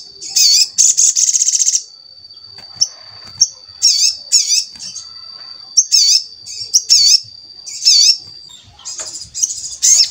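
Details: Energetic song of a crimson sunbird (sogon), played as a lure so that other sogon start singing: rapid high buzzy trills and repeated sharp, swooping high notes in dense bursts, with brief pauses between phrases.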